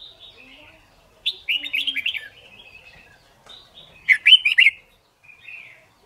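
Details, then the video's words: Red-whiskered bulbul singing in competition-song training: a rich warbled phrase of quick whistled notes, a softer trailing section, then a second loud bubbling phrase and a faint final whistle. "Luyện Chim Chào Mào Má Trắng Học Giọng Nhanh. Chào Mào Hót / Chào Mào Hót Đấu/Kích Bổi Hót"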